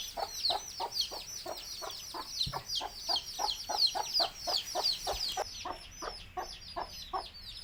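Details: Country chicken chicks cheep nonstop beside a mother hen calling them to eat; shrill descending peeps overlap constantly above a steady run of soft, regular clucks, about three each second.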